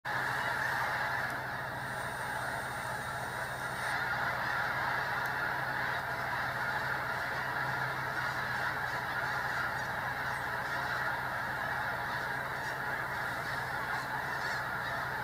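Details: Very agitated flock of Snow Geese at the Sacramento National Wildlife Refuge: a dense, unbroken chorus of overlapping nasal honks and yelps, many birds calling at once with no pauses, over a steady low hum.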